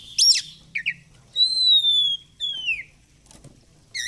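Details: Oriental magpie-robin singing in the lively fighter style: sharp high chirps followed by long, pure whistled notes that slide slowly downward, then a shorter falling whistle, with a quiet background.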